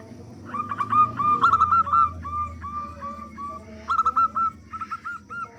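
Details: Lure song of local big-voiced zebra doves meant to get other doves singing: runs of rapid, clipped coos in several bursts, a softer lower coo beneath, and faint background rumble.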